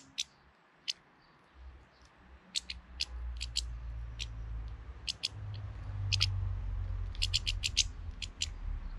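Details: A hefty European goldfinch in early April intimidating another goldfinch gives bright, clipped high notes, some single and some in quick doublets and triplets, against a steady low rumble of wind or handling noise.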